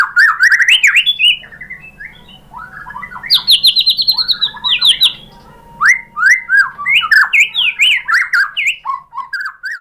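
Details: White-rumped shama song meant to provoke other shamas to sing: bursts of loud, rich whistles and chattering phrases, rapid slurred notes broken by short pauses, varied pitch throughout, steady faint hum behind.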